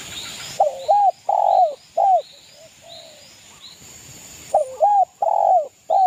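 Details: Local East Javan spotted dove in 'kuk' style cooing, meant to provoke rival males. Repeated bouts of deep, throaty coos in quick clusters, with a short soft drawn-out coo midway and faint high chirps behind.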